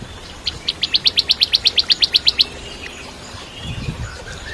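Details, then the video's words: Bar-winged prinia, locally ciblek kristal, singing briskly as a tutor for white-rumped shamas: one long, even volley of about fourteen sharp, high ticks, a few each second, then quiet with faint low rustling. "Masteran Cimblek Kristal Gacor (masteran murai Batu trotol)"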